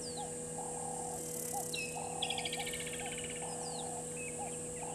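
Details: Burchell's starlings in a tree at a waterhole dam, Djuma Game Reserve, Sabi Sand, South Africa, 15:00 on 12 November 2022, give a harsh rapid chattering burst with high slurred whistles, over frog-like croaks, insect hiss and electrical hum.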